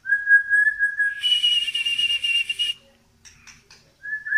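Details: White-rumped shama from Medan, tail-pushing and singing nonstop: a long steady whistle leads into a harsh hissing phrase with a high sustained tone, then scattered faint clicks and a final whistle.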